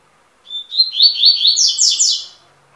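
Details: Double-collared seedeater singing one quick, bright phrase of about two seconds: high warbled notes that slur up and down, building into faster rising and falling sweeps before stopping, over a silent background.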